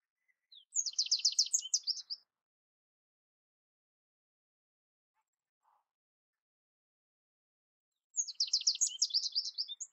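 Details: Two dense, rapid phrases of high twittered notes from an American goldfinch, each about a second and a half long, separated by roughly six seconds of near silence.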